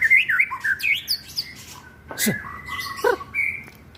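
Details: Phone-recorded white-rumped shama song from Lebak, Banten, meant to rouse birds that rarely sing: looping whistled trills at the start, then a sustained flat whistle and a few sharp clicks.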